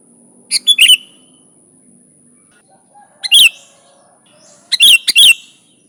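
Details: Sooty-headed bulbul (kutilang) singing energetically, recorded for luring other bulbuls. Short, loud, chattering bursts, several in quick pairs, separated by quiet gaps of about two seconds, with a faint steady high hiss throughout.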